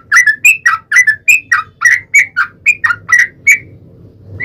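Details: Yellow-vented bulbul in lively song, played as a lure so another bulbul replies: a steady string of about a dozen bubbly, slurred whistled notes, alternating higher and lower, ending with a brief pause.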